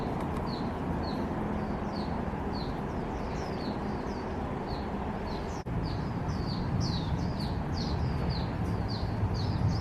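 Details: Grey-headed canary-flycatcher in Hong Kong on 22 December 2020, giving thin, high, slurred chip notes about twice a second over a steady low rumble of distant traffic or wind.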